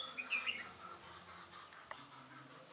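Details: Red-whiskered bulbul used as a decoy while trapping, a bird with a dark bib, recorded 21 August 2018: short bright chirping whistles in the first half-second, then scattered thin high notes over a quiet, low hum.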